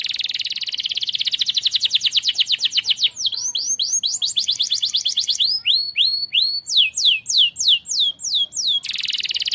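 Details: Canary in full song, recorded as a tutor (masteran) for other birds, delivering rapid high trills of identical syllables at about three per second, shifting into slower, sweeping downward notes and then back to a dense trill.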